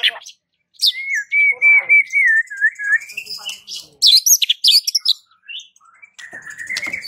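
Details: White-rumped shama song said to provoke shamas across a village into answering: a long wavering whistle held about two seconds, followed by bursts of high sharp chirps and a final drawn-out whistle.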